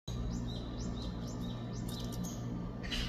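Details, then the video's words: A young Japanese tit, recorded 2 August 2024, gives thin, high chirps, repeated several times a second, over a steady low hum. "아기박새 소리"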